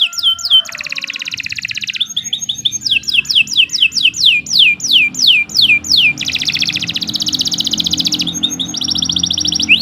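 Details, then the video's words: Canary singing a long, lively song, played as a morning master recording for training young songbirds: dense buzzy high trills, then a run of clear descending whistled sweeps about four per second, then fast rattling trills, continuous and high-pitched. "Kicau Burung Kenari 86 II GACOR PANJANG"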